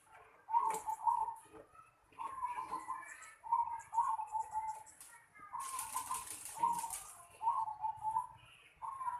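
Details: Zebra dove in a house yard repeating short, low, rolling coo phrases about every one to one and a half seconds, interrupted midway by a loud rustling burst, with faint voices and clatter in the background.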